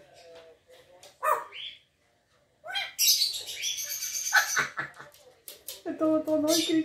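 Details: Grey parrot kept indoors as a pet, said to bark like a dog; harsh squawks and bright whistled notes sounding between a woman's speech, with a loud burst of raspy high calls mid-clip.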